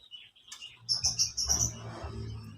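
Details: Chirping of young canaries, kept as training lure material for other canaries: a quick run of thin, high, evenly spaced notes over a low rumbling background.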